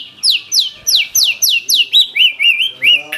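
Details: Energetic white-rumped shama song from a mimicry-filled repertoire: about eleven sharp downslurred whistles repeated roughly four per second, shifting to lower wavering notes at the end.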